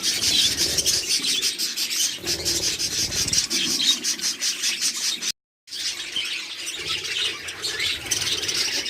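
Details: Breeding-farm budgerigars in Pakistan, about 100 pairs, fill the air with an unbroken, buzzy high chatter of chirps and squeaks, cut by a brief silence midway.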